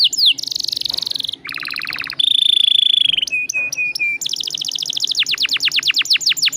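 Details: Long rolling canary song used as a lure: varied phrases of fast rattling trills, a steady whistled buzz, clipped chirps, and finally a run of quick descending sweeps, all bright and high.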